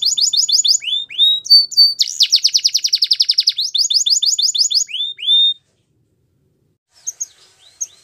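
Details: Belgian canary singing a training song: rapid repeated high chirps, a fast dense trill near the middle, then more chirp series before a short pause and a few faint notes at the end.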